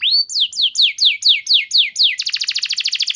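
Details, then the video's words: Canary performing a lure song in the 'nembak panjang' style: a rising opening whistle, seven slurred downward notes in even succession, then a fast, buzzy, high trill. "Terapi Burung Kenari Cepat Bunyi Gacor Dengan Suara Pancingan Kenari Gacor Nembak Panjang Ini"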